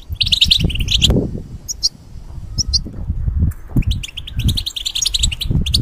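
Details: European goldfinch in a cage, used to teach song to hybrids, giving short bursts of twittering chirps broken by a pause, partly masked by loud low thumping and knocking.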